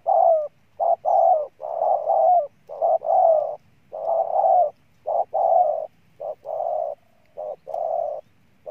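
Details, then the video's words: A decoy spotted dove, called the year's best cooer, delivers a dense run of low hollow coos in short-long pairs. A faint low rumble sits underneath. "Con Bổi Gù Trâu Bò nhất năm"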